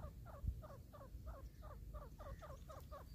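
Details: Wild grey partridge (teetar) filmed during a hunt, giving a quick series of paired, falling notes, roughly three per second and evenly repeated, with low background rumble and faint wind.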